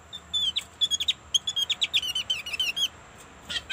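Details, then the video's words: White-eye song played to lure same-species birds into singing: a fast run of some twenty high, slightly descending whistled notes over about three seconds, then a brief pause and a few more notes. "PANCINGAN SUARA BURUNG OPYOR YG SANGAT AMPUH"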